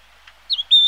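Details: Yellow-billed grosbeak (Eophona migratoria) uttering a short dipping note followed by a sustained pure whistle, high and level, very brief.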